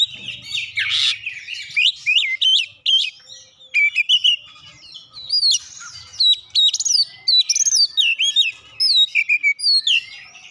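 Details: Oriental magpie-robin song filled with Java sparrow mimicry: brief hoarse opening, then quick series of clear rising and falling whistled notes and sharp chirps in rapid bursts, a faint low rumble early on.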